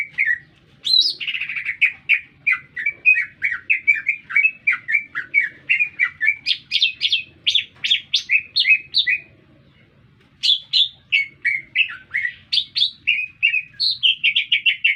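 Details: Continuous lively green leafbird song heard in the middle of a city, a long stream of quick varied chirps and whistles with a brief pause before the chattering resumes, over a soft low hum.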